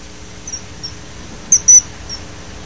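Common kingfisher giving shrill, piercing high whistles: a few faint short notes, then two loud, sharp ones close together, over a quiet background hum.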